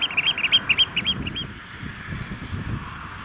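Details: Eurasian oystercatcher courtship piping at a rainy, cold sandpit lake in Vriezenveen: a short burst of rapid, high, ringing notes that stops after about a second and a half, leaving wind and rain noise.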